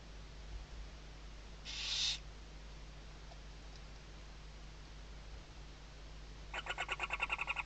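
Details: At a nest webcam in Riet Vell Nature Reserve, Ebro Delta, Spain, in the 2023 season, a western barn owl chick moves under its mother's wings: one harsh, breathy hiss, then a fast run of rasping, pulsed hisses, over a low hum.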